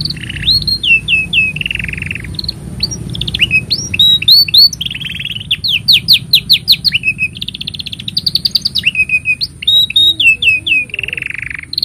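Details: Canary singing at length as a master song for young canaries, mixing looped whistles, buzzy rolls, rapid rattling note series and low trills in an unbroken, constantly shifting sequence.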